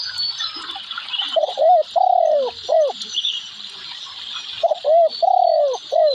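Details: Low, hollow coos of a spotted dove, repeated as two phrases: short coo, long drawn coo, short coo, a few seconds apart, against a continuous high buzzing background.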